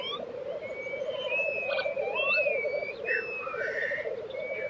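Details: Black grouse at a lek in Tiveden, Sweden, in April 2023: a continuous low bubbling chorus of rapid pulsed notes, with thin whistled calls of other birds sliding above it.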